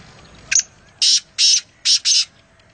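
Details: Black francolin (kala teeter), wild, recorded at Nawabshah, calling a short clipped opening note followed by four grating, buzzy high notes in quick succession, loud against a near-silent background.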